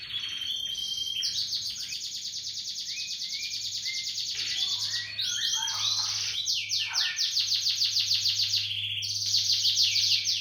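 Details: Energetic canary song played to stimulate other canaries to sing; long high rolling trills and fast buzzy rattles, with a short break of scratchy notes midway, and a steady low hum beneath.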